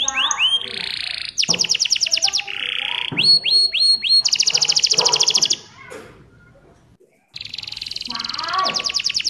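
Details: Canary singing steadily to coax other canaries into song: rapid rolling trills alternate with flat buzzy tours and quick upslurred notes, then a short silent break before a high rattling trill resumes.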